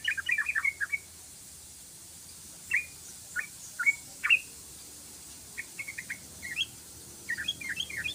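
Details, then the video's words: Yellow-vented bulbul in ropelan style: a quick burst of chirpy slurred notes, then single spaced whistles, then another fast cluster of bright downslurred notes toward the end. "ROPELAN BURUNG TRUCUKAN PANJANG❗❗❗TRUCUKAN GACOR❗❗❗"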